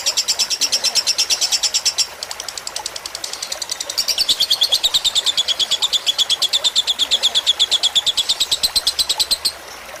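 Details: Tutor recording of a lovebird fighter song, water trickling to relax listening birds; fast shrill chattering pulses, a brief dip around two seconds, then a louder run whose ringing tone slides downward before ending.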